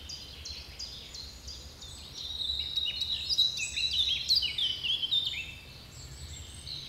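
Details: Birdsong in the Bois de Géline woodland at Torgny: dense high warbling and twittering, quick whistled notes and trills overlapping, swelling in the middle and fading, over a faint low rumble.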